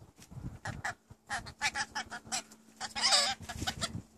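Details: Several new pet rainbow lorikeets talking at home, said to mimic phrases such as "What's for dinner". Short raspy, voice-like syllables come in an irregular string, ending in a louder wavering screech.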